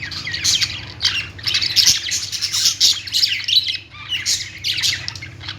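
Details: Budgerigar group chatter in pulsing waves of scratchy twitters and thin squeaks, with a few short rising whistles near the start and a quiet background hum.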